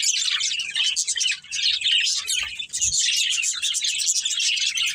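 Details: A pet budgerigar breeding pair chattering continuously, rapid high scratchy twitters and squeaky notes blending into a lively warble.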